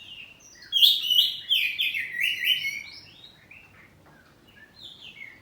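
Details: Home-kept oriental magpie-robin, kacer poci type, singing ngeplong with answering phrases: a loud rush of bright, fast-sliding whistled notes for about two seconds, then softer scattered chirps trailing off.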